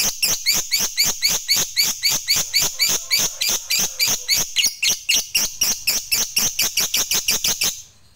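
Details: Fighter lovebird in loud ngekek chatter, used to provoke other lovebirds into singing: quick, evenly spaced, harsh high pulses, roughly four per second, stopping abruptly near the end.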